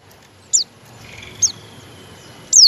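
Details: Captive white-eye (pleci) giving its call stage, the basic calling note: three thin high squeaks slurring downward about a second apart, over a faint steady high tone and soft background rumble.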